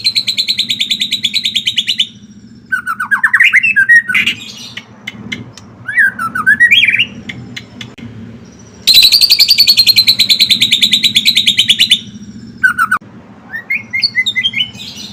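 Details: Singing white-rumped shama, used to coax other shamas into song: high rapid trills alternate with swooping whistled phrases and dry clicking chatter, several distinct bursts over fifteen seconds.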